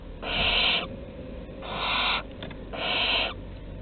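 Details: Barn owl chicks begging during prey deliveries at the nest entrance, Théding, 15 August 2020: three harsh, hissing screeches, each about half a second long, spaced roughly a second apart.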